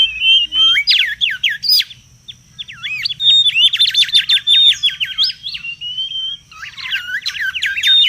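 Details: Mangrove whistler in noisy wild song: looping whistles and rapid rattling runs of repeated notes, a short lull, then more sweeping phrases and a sustained level whistle.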